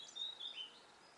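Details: A female Atlantic canary (Serinus canaria) perched on a white tajinaste in northern Gran Canaria in May 2020 gives a few thin, high, short whistled notes, slightly wavering, over about half a second, with faint background hiss.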